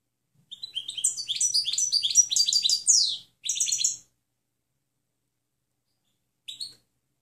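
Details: European goldfinch clean song used to teach other birds, a three-second burst of fast twittering and buzzy trills, then a short half-second phrase and a lone chirp after a pause.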